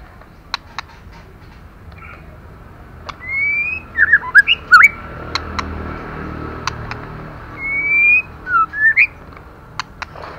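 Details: White-rumped shama female, calling to provoke males to sing, delivers two bursts of twisting, looping whistles several seconds apart. Sharp clicking ticks are scattered throughout.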